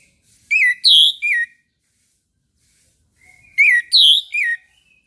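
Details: Orange-headed thrush song at morning: two identical three-part phrases about three seconds apart, full-toned whistles with a higher middle element and a downward-slurred ending.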